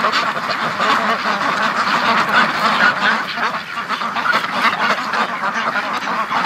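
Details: Hungry domestic ducks, including Muscovies that spent the night outside the pen, crowd in for the morning feed. Continuous overlapping rasping quacks from many birds form an unbroken, busy din.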